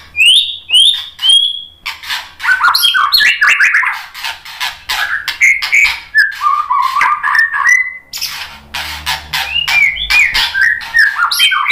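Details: White-rumped shama song used as a lure for other birds: clear high whistled notes, then long runs of rapid varied chattering and slurred phrases.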